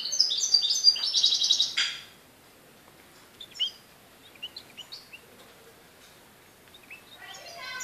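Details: A European goldfinch in Morocco, recorded 4 December 2013, delivers a loud two-second burst of rapid, buzzy twittering, then a string of sparse thin chirps, with a fresh twittering phrase starting at the end.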